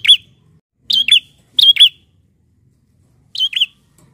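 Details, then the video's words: Lure recording of a bar-winged prinia: quick pairs of bright, high chirped notes that dip and rise, four doublets in a few seconds with uneven spacing, otherwise quiet. "PANCINGAN BUNYI PRENJAK BAHAN"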